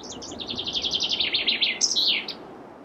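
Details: A Chaffinch sings one full strophe: a quick rattling run of repeated high notes stepping gradually downward, then a sharp upward flourish and terminal ending, with faint low background rumble.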